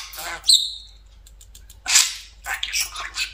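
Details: Pet budgerigar perched on top of its favourite cage, producing short raspy, speech-like bursts with a bright high squeak near the start, then two scratchy chattering phrases after a pause; indoor, no other clear sounds.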